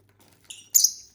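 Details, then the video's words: Companion lovebirds at home give a short high chirp followed by a louder, brighter squeaky chirp that fades quickly, over a faint low indoor hum. "Bird sounds for lonely lovebirds (Eating, Singing & Chirping Sounds)"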